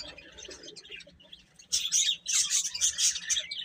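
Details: Faint, scattered peeping from chicks gives way after a short lull to a loud rush of piercing, closely packed chirps that continues to the end.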